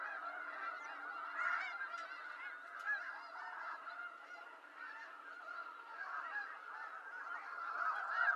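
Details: Many wild snow geese calling together in North America, an unbroken babble of nasal yelping honks that rises again near the end.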